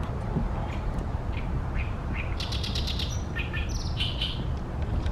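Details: Loud, rasping chatter of an Oriental reed warbler in a tall tree by a reed pond, Ashiya, Japan, sunny late May 2020; scattered short notes give way to a dense harsh grating run in the second half, against a heavy low hum.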